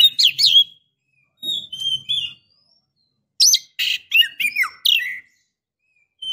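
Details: Female Oriental magpie-robin calling a male: quick squeaky twittering, then a thin whistle, a pause, and a dense burst of harsh buzzy notes mixed with looping whistled slurs; faint low hum in the background.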